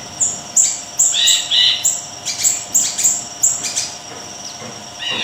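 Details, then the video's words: Siri-siri kecil singing a rapid chain of piercing high whistles, about three notes a second, with lower buzzy phrases slipped in and crisp clicking accents between notes. "Siri-Siri Kecil Gacor,, Tembakan Dahsyat Mbeset"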